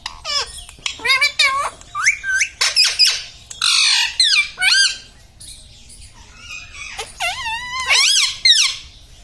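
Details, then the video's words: Household parrot repeating 'mummy', 'papa' and 'radhe radhe'. Dense bursts of squeaky, word-like syllables are separated by short gaps, with a harsh squawk near the middle and a warbling phrase near the end. "Talking mummy papa|| mummy vala parrot || mithu bolo radhe radhe"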